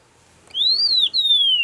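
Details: Agulhas long-billed lark singing in the Overberg region, the only area where it occurs: a clear whistle rising to a peak, a brief break, then a long, slowly descending drawn-out whistle. Quiet background.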